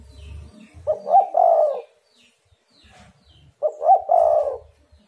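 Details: Spotted dove lure call for drawing answers from other doves; two matching phrases about 2.7 seconds apart, each with clipped opening notes and a long mellow coo, over faint low rumbling.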